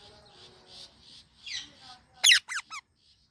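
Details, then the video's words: Indian ringneck parakeet, kept together with an Alexandrine parrot, gives three sharp, harsh chirps in quick succession near the end. Before them is a stretch of soft, murmuring background sound. "Indian Ringneck and Alexandrine Parrot Chirping Sounds"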